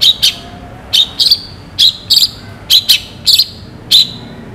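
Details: Loud, sharp song of a long-tailed shrike, described as rich and clear: harsh, grating high notes delivered mostly in doubled bursts roughly every half second, steady and insistent.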